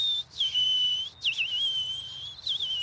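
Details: A European Robin sings in a small thicket at the Argentat-sur-Dordogne biodiversity reserve, Corrèze, France: thin, high, drawn-out whistles breaking into liquid, tumbling warbles, a wistful phrase against a quiet background.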